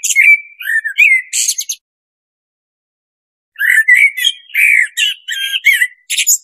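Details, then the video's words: Two blackbird song phrases separated by about two seconds of silence, each mixing low, flute-like whistled notes with sharp, chattering high twitters toward the close. "SUARA BURUNG BLACKBIRD"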